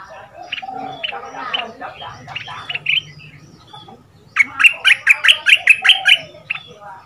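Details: Red-whiskered bulbul from southern Thailand, a caged decoy bird of two months with a fierce double-note style, played for chicks to imitate; scattered chatter and whistles, a pause, then a fast rhythmic series of about ten loud whistled notes.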